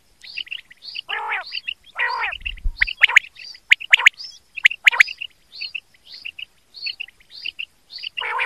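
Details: Quail calling, recorded for quail hunting: quick, high chirps in short irregular bursts, about one a second, broken by a few harsher, raspy squawks.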